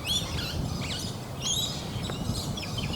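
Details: Swift parrot, an adult male, one of five on the Toowoomba Range on 15 June 2024 after migrating from Tasmania, gives thin, high metallic chirps and short piping notes in quick bursts over a steady low rumble.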